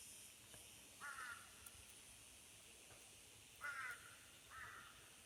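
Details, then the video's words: Early morning birds at Khajiar, Dalhousie in Chamba: three rough caws, one near the start and two close together after a long pause, against a quiet hissing background. "natural sounds birds chirping"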